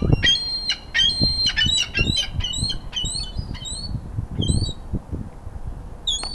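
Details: Gulls feeding in a frenzy, ringtip and Iceland gulls squabbling over food; rapid series of shrill, clipped squeals crowding together, then thinning to a few high mewing notes, with low thumps beneath.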